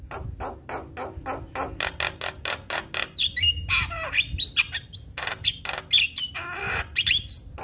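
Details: Javan myna song used to prompt other mynas to sing: a run of evenly spaced harsh rasping notes, then sharp whistled upslurs and chattering squawks, with a low hum beneath.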